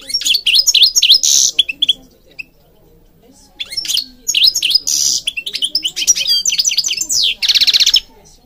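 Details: European goldfinch used for training birds, giving repeated bursts of jangling twitters and wheezy buzzes separated by short pauses, finishing with a long rasping trill.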